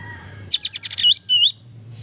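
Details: A brief energetic burst from a Kapas tembak, recorded as training song: a quick tumbling series of bright chips slurring into a looping whistle, then one higher wavering note.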